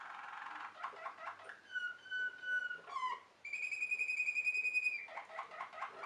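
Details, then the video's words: Waterslager canary, the Belgian Malinois song canary: soft rapid rattling notes, a pure held whistle, a quick gurgle, then a long bright whistled tone followed by more clicking trills, with background hiss. "Water selgar canary wing wonders"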